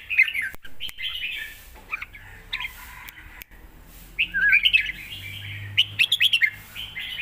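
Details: Red-whiskered bulbul in a cage singing 'lak wai' style song, presented as a full model for young birds to learn: scattered whistled notes at first, then a lively rising series of warbles toward the end, with a low hum.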